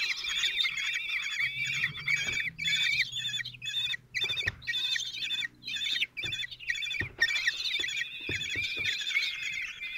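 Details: At a nest in Théding, France, on 26 June 2023, a single male common kestrel feeds his four chicks, aged 16 days. Overlapping shrill, quavering calls come in bursts broken by short silent gaps, with low rustling.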